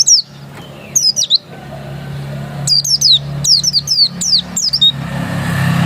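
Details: Oriental white-eye, pleci dakun type, said to be still original, gives short clusters of sharp, high, falling whistles separated by gaps, with a steady low hum and rising background noise toward the end.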